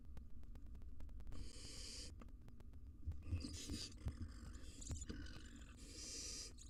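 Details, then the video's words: Wild barn owl mother and fledgling squabbling inside a nest box: several rasping, breathy hiss-screeches of varying length, some drawn out and some choppy, separated by short pauses, over a constant low rumbling hum. "Barn Owl Family Feud: Mother and Fledgling Fight!"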